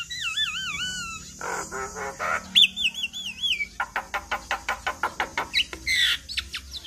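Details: Black-winged myna lure song for prompting other mynas to answer: wavering whistled trills, buzzy rasping bursts, a sharp whistled slide, then a fast series of short clicking notes and a final harsh burst.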